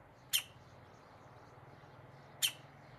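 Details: Middle spotted woodpecker chick looking out of a tree hole and calling: two short, sharp, high calls about two seconds apart over a quiet background with a low steady hum.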